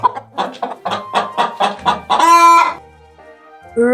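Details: Domestic chicken giving a run of short, evenly spaced clucks that builds into a longer, drawn-out squawk, then a pause and a brief rising note, with faint music underneath.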